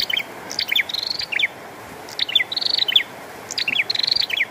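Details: Bar-winged prinia in full song with falling rain, three phrases of quick downslurred chips followed by a rapid buzzy trill, each phrase roughly a second long, over a constant wash of rain.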